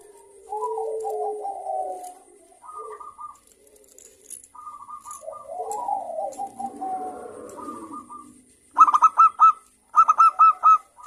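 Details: Local zebra dove used as a singing lure for other zebra doves; mostly low, wavering coos and soft note clusters, ending in two loud bursts of rapid, bright hooked notes.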